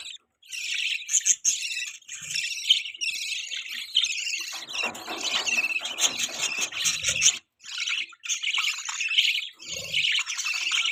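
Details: Continuous budgie chirping linked to mating: fast, high, warbling chatter with a few brief pauses and some low rustling in the middle.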